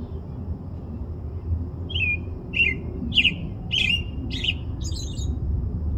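A robin gives six short, sharp chirps about every half second, rising slightly toward the end, over a steady low rumble of wind or distant traffic.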